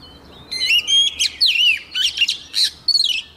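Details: White-rumped shama female singing to rouse caged males: a dense, energetic phrase of loud whistled slurs, sharp clicks and rapid warbles filling most of three seconds, over a faint low hum.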